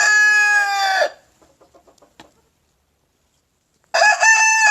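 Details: Leghorn rooster: the tail of a loud harmonic crow, a pause with soft clucking notes and a click, then a new loud crow starting near the end.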